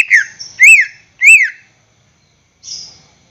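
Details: Greater green leafbird kept caged, song used to coax other caged birds into singing: three loud arching whistles, then a pause and a soft high buzzy note.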